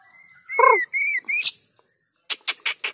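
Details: White-rumped shama lure song for other shamas: a level whistled tone joined by a harsher layered note, a second whistle, then four quick rasping chips.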